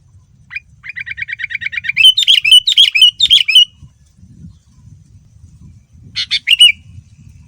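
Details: Sooty-headed bulbul, described as a male in full, vigorous song with rich filled-in phrases, used as a lure to draw other bulbuls into answering. A rapid run of about a dozen even chirps leads into loud warbled phrases, then a short burst after a pause.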